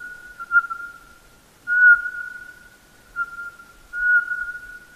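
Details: Eurasian pygmy owl giving soft, rhythmic whistled song: four monotone hoots, some brief and some longer, spaced roughly one to two seconds apart, each trailing off evenly, with nothing else audible.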